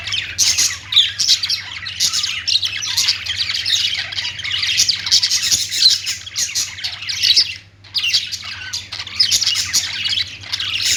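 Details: Budgies singing as a group, dense shrill chatter and warbling that runs almost nonstop, with one brief lull near the end before the squawking resumes; low hum beneath.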